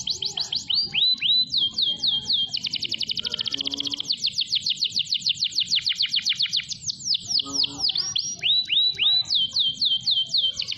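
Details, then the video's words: Singing canary, used to train other canaries: alternating phrases of swooping downslurred whistles and very rapid high trills, unbroken and energetic throughout. "KENARI GACOR DURASI PANJANG UNTUK PANCINGAN KENARI ANDA"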